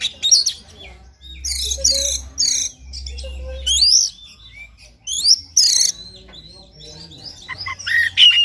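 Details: White-rumped shama song played in the morning to stimulate a caged bird to sing: loud bursts of sharp, rich whistles and rapid rising sweeps in high pitch, separated by short pauses, with a faint low hum underneath.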